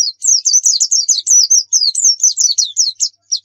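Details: Pleci (white-eye) training song: an unbroken, lively stream of very high twittered notes, each a short wavering slur, chattering on steadily for over three seconds.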